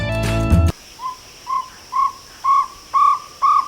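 Jungle Owlet: a series of short, hollow, slightly rising notes about twice a second, each louder than the last, after a brief burst of music.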